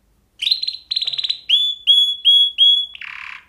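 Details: Canary song opening with two quick rattling trills, followed by four clear whistled notes rising then holding steady, each about half a second apart, ending in a brief harsh buzz.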